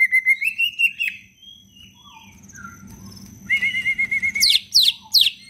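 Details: Green leafbird (cucak ijo), a kept songbird used as a lure to prompt quiet leafbirds to sing, gives a lively song: clear whistled notes, a fast warbled trill, then sweeping downslurred whistles.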